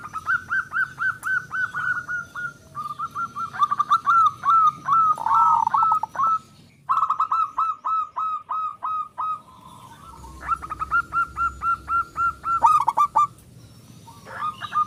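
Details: Loud-voiced local zebra dove, used to provoke other doves into song, gives long runs of rapid repeated hollow cooing notes in phrases with short pauses, plus some clicks and knocks.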